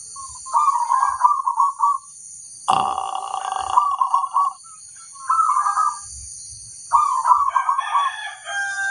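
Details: Local crossbred zebra dove singing: rolling, bubbling cooed phrases repeated about every two seconds, with a sharp clattering noise near the middle and a steady high hiss throughout.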